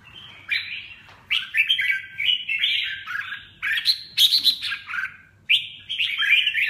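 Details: Red-whiskered bulbul in full song: rolling, slurred warbles that rise and fall in quick succession, delivered in several long bursts.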